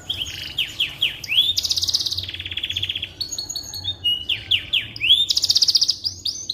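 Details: Canary song used as a training model for white-rumped shamas: quick descending whistles, then long rattling trills at two pitches, more slurred notes and another high rattling trill, without a break.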